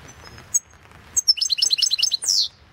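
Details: Competition recording of European goldfinch song from the 2016 world championship: a few isolated high ticks, then a rapid tinkling series of about eight chirps ending in a harsh, buzzy falling note.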